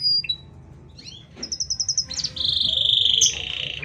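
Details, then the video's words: A canary in lively, nearly unbroken song, used for training or stimulating other canaries: scattered soft notes, then a quick series of clear high pips and a loud, steady buzzing trill. "Suara Kenari Gacor panjang Jeda rapat"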